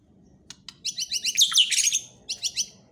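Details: White-rumped shama singing: a quick series of short, high downslurred notes builds into a dense, tumbling burst of richly modulated phrases, then a brief pause and more sharp repeated notes; quiet background hum.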